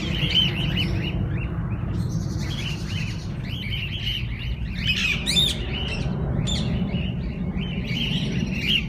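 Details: Walk-in parrot-zoo aviary holding various parakeet kinds that visitors can feed and hold: a steady stream of bright, chirruping warbles from many birds over a constant low background rumble.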